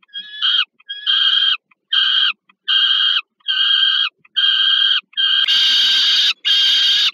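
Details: Peregrine falcons at the Żerań plant in Warsaw, Poland, 15 August 2022, during a food delivery to a youngster: about nine rhythmic, hoarse screeches, the last two sharply louder and harsher, as if closer to the microphone.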